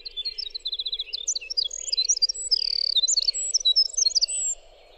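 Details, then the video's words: A winter wren pours out a long, fast cascade of high tinkling trills and sharp notes, unbroken for over four seconds, over a faint low steady hum. "suara winter wren"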